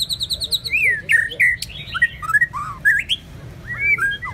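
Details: White-rumped shama song opening with a fast high repeated trill, then loud slurred whistles and sweeping notes, over a low steady hum.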